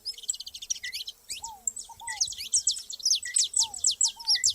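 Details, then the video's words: Saffron finches gathered in nature give rapid, high, sharp chirps in quick runs that grow louder toward the end, mixed with occasional soft, lower downslurred whistles. "canário da terra junto na natureza"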